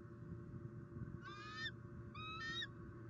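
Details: Bald eagle female, very vocal near the nest tree in Southwest Florida, 20 October 2019, as the male drops off prey. A pair of squealing, upward-bending whistles in close succession over a humming background.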